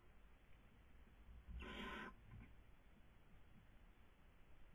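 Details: A barn owl (Tyto alba) at a nest webcam in Cabañeros National Park, Castilla-La Mancha, Spain, during the 2020 breeding season gives a single harsh, hissing screech of about half a second over a steady low rumble.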